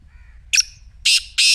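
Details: Grating black francolin call for waking a silent partridge's voice: a short sharp note, a pause, then two loud, broad, rasping bursts close together; a faint thin tone sounds at the start.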